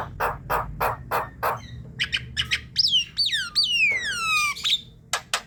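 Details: Javan myna sounds meant to bring in others: a run of harsh raspy bursts, short clicks, then several long whistles sliding steeply downward.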